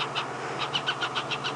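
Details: Baby hornbills beg their parents for food from a nest cavity in a marula tree, giving a fast, steady series of squeaky, chattering notes, during an afternoon drive at Djuma Game Reserve on 25 February 2016.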